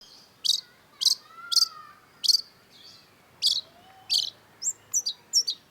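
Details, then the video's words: Long-tailed shrike (cendet) singing lively as a tutor recording for songbird keepers: short, sharp high chirps spaced about half a second apart, a faint lower whistle behind them, then a quicker run of clipped notes at the end. "cendet gacor MASTERAN CENDET BANYAK DICARI PECINTA BURUNG || Long-tailed Shrike"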